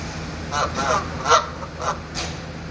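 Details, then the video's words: Geese honking on the roof of a van, a few nasal honks spaced about half a second apart over a low steady hum. "Geese honking on my van"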